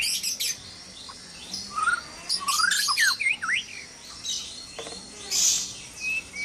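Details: Caged white-rumped shamas in a breeding aviary at dawn: quiet stretches broken by sharp chirps, then a run of quick looping whistled slurs mid-clip, followed by hissy, high-pitched bursts.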